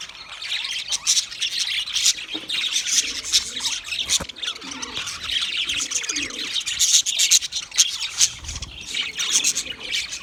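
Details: A group of budgerigars chatters steadily, with overlapping high, rasping chirps and warbles throughout and occasional sharp clicks cutting through the chorus.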